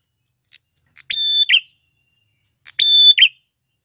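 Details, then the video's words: Two phrases from a male grey prinia used to lure wild females, each starting with soft ticks, then a level high whistle ending in a short harsh buzz, about one and a half seconds apart. "Suara Prenjak tamu klawu jantan gacor - MP3 PIKAT burung pernjak betina liaran di alam paling AMPUH"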